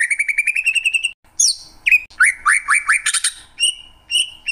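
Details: Greater green leafbird opening with a fast, even string of rising whistles, then sharp upslurred notes, a run of quick ascending whistles, and scattered clear high notes with short gaps.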